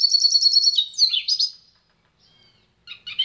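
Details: Goldfinch-canary hybrid (pintagol) song: a rapid run of identical high, bright notes, then slurred descending and rising twitters, a brief pause, and the start of another chattering phrase. Clean recording with no background noise.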